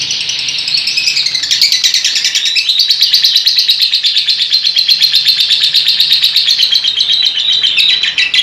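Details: Lovebird kept as a fighter bird, singing a long, dense, high chattering warble of rapid twittering notes that runs without pause for the whole stretch, shrill and slightly buzzy.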